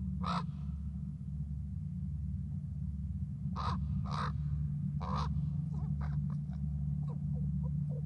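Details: Conversational calling from a crow or raven, possibly young: a single rasping caw, a pause, then a cluster of three strong harsh caws followed by quieter, thinner clicking notes, all over steady low-pitched background rumble.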